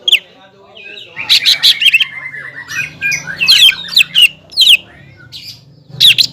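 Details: Caged greater green leafbird singing to stir up a rival: a run of buzzy notes then bright, piercing slurred whistles and chips in quick clusters, with a low background hum.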